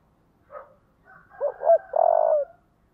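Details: Spotted dove singing a thúc đấu fighting call in the thổ voice style. A soft opening note, then two short coos and a long buzzy falling coo, in a clear, calm setting.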